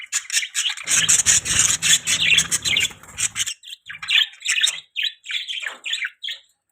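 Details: Pet budgerigars chirping: rapid, busy stream of high chirps, squawks and warbling notes, several birds overlapping, with brief low rumbling in the first half.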